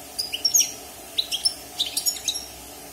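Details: Wild European goldfinch, caged for six months and just out of its moult, singing a quick twittering run of bright, high chirps and short slurred whistles in clustered bursts, with a quiet room background.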